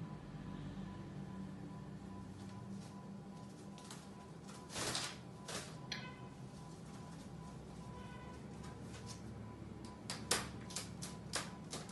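Only a low indoor hum with scattered clicks, knocks and door-like sounds; no clear animal voice.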